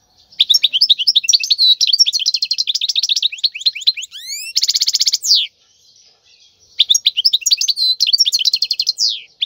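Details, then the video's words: Wild European goldfinch song played for training chicks: rapid tinkling twitters, a few rising sweeps and a harsh buzzy stretch midway, a brief pause, then renewed fast chattering phrases. "تغريد الحسون البري لتدريب الفراخ"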